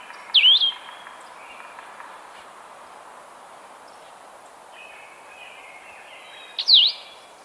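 Blue-headed Vireo singing two short, sweet, slurred phrases, one dipping and rising, about six seconds apart. A faint, thin bird sound and quiet background hiss fill the gap.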